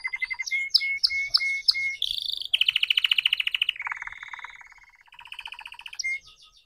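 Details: A young red canary practising song alternates clear repeated whistles with several rapid trills at different pitches, some rattling and buzzy, fading toward the end.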